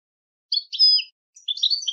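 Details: Goldfinch giving a few drawn, slightly wheezy notes followed by a short jumble of bright twittered chirps, high-pitched and clear with nothing else heard.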